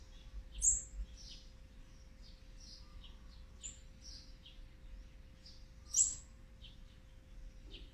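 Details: Olive-backed sunbird young from a fourth brood at feeding time on day 18, dated 8-3-2020: soft, high twittering notes throughout, broken by two loud, piercing chirps near the start and near the end, with a steady low hum beneath.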